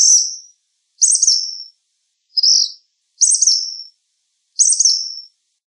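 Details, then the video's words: Black phoebe giving five high, thin, buzzy phrases about once every one to one and a half seconds, alternating slightly rising and dropping notes; otherwise quiet. "Black Phoebe Song! Black Phoebe Call! Black Phoebe Sound! - Mosquero Negro Canto"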